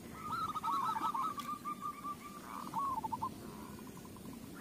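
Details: Zebra dove song used as a lure to set other doves singing: a soft, fast run of cooing notes at a steady mid pitch, wavering and dropping slightly toward the end, followed by a sharp click.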